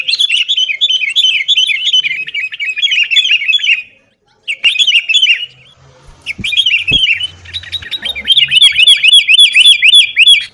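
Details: Sooty-headed bulbul song used as a lure to get caged birds singing: loud, rapid, chattering phrases of sharp notes repeated in fast runs, breaking off after four seconds, then resuming with busier overlapping chatter.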